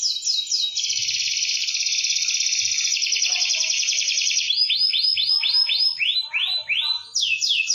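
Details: Canary singing as master audio for birds slow to sing: a long, steady buzzing trill lasting about four seconds, then a run of rising swept whistles repeated about twice a second.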